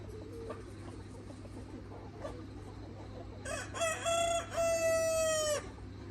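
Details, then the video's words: Red rooster in a free-range farm flock with hens: soft scattered clucks and chatter, then a loud crow with stuttering opening notes and a long, level held note ending abruptly, over a constant low hum. "Beautiful Free-Range Red Mía Rooster Flock with Hens – Long Farm Video Natural Sounds"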